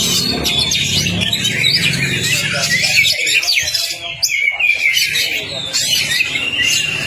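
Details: Oriental magpie-robin master song to start a silent kacer singing: loud bursts of sharp whistles and rattling trills separated by short gaps, with a low hum during the first half.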